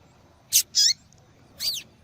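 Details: Female yellow-bellied seedeater calling: three high chirps in quick succession, the second longer and warbled, the last a descending forked note, over a quiet low hum.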